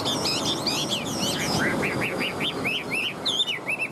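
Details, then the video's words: Caged male-or-female unstated Chinese hwamei singing: a run of loud, looping whistled notes sliding up and down, repeated about three per second, over a steady background hum and faint murmuring voices. "sách lồng hót 11 phút không nghỉ l Hoạt Họa Mi"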